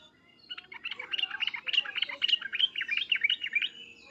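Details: Agitated sooty-headed bulbul, with loud 'cuk-cuk' and 'uplik-uplik' calls meant to provoke a reply from other bulbuls: a steady run of rapid, bubbly, slurred chirps.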